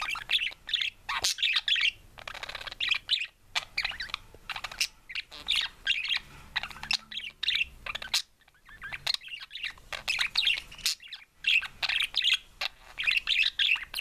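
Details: A pet budgerigar, recorded 20 November 2013, warbles a rapid, chattering song of bright chirps and scratchy trills.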